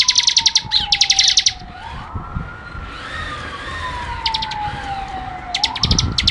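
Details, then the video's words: Bar-winged prinia lively song for tutoring: a dense burst of fast high chirps at the start, then a wavering siren dominates with only scattered chirp clusters. "masteran suara ciblek gacor"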